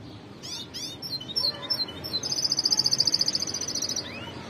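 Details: Goldfinch, white-cheeked form, gives quick slurred high chirps that break into a long, fast metallic trill of regular pulses, finishing with a faint rising note; steady low hum underneath.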